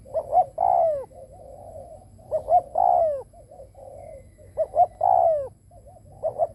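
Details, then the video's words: Spotted dove kept as a decoy, cooing to draw in wild birds. It repeats a phrase of two or three short clipped notes and a long, loud, falling coo, followed by a soft low coo, about every two seconds. "Cu mồi đất gù kích bổi cực mạnh / Tiếng chim cu gáy kích bổi hiệu quả / cu gáy gù /Chim cu mồi gù"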